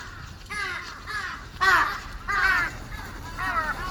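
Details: Crows arriving to feed on March 18, 2026: a run of harsh, ragged caws from several birds, the loudest near the middle, each call slightly falling in pitch, with faint background hiss.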